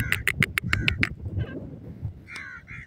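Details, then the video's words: Koti teetar (grey francolin) calling on the ground: seven quick, harsh, evenly spaced notes in about a second, then two drawn-out rasping notes after a pause, over low rumbling noise. "koti teetar ke awaz"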